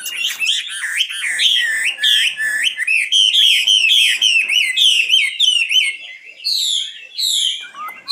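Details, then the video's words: Nightingale singing a fast series of repeated, looping whistled notes with sharp upward and downward slurs, followed by a few high separate phrases. "Best singing nightingale 2016"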